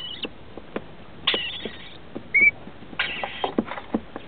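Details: Rainbow lorikeet nest in a home's roof space holding two chicks, 21 and 17 days old, visited by feeding adults, 23/10/2013. Short grating rasps alternate with one brief clear whistle, over scattered wooden knocks and shuffling.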